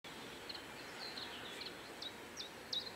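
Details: Common chiffchaff at Joachimów Mogiły reservoir, Poland, on 27 May 2017, giving thin, high chip-like notes at a quick, uneven pace, faint against a steady hiss of outdoor background noise.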